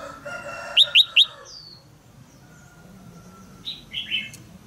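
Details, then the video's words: Caged female red-whiskered bulbul calling to prompt a young male to sing: three quick sharp chirps in a burst, then softer scattered chirps and a thin whistle against a noisy background. "นกตัวเมียร้องเจี๊ยก ๆ ในกรงเพื่อกระตุ้นให้นกหนุ่มร้องอย่างไพเราะ"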